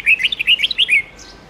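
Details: Red-whiskered bulbul long forest-style song played for training young birds to learn the song: a quick run of loud, rich warbled whistles around mid-high pitch, rising and falling notes in a one-second burst, then a faint higher note.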